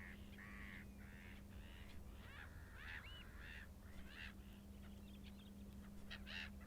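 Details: A Short-eared Owl in Iceland gives a run of harsh, nasal, barking calls, several per second, over a steady low hum.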